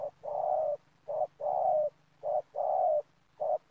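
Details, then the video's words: Dove-trapping session in an oil palm plantation, a spotted dove used as a lure repeating short-long coo pairs at a steady pace, about one pair per second, the long notes gently descending. "Mikat Tekukur"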